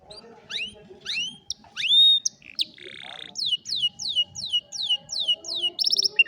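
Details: An old canary singing in the afternoon: a varied run of high whistled sweeps and upslurs, a short buzzy trill, then a string of quick descending notes repeated about every half second, with faint low background noise.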